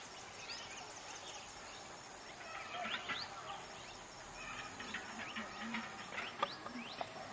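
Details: Male and female scarlet minivets at Maredumilli, Eastern Ghats, Andhra Pradesh, in January 2011, give thin, high sweeping call notes in scattered bursts, thickest toward the end, over a steady hiss of forest background.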